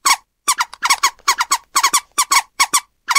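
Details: Scarlet ibis giving bunched, squeaky double and triple notes after a short pause, nasal and harmonic, quiet setting.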